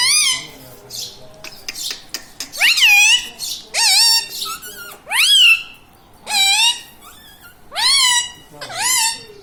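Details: Indoor talking parrot, said to repeat mummy, papa and radhe radhe; after some clicks, a steady series of loud arching harmonic calls about every one and a half seconds, with short gaps.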